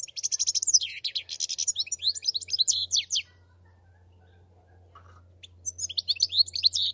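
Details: Rapid, tinkling European goldfinch song full of high trills and buzzy slurred notes, a quiet gap of about two seconds, then the twittering resumes.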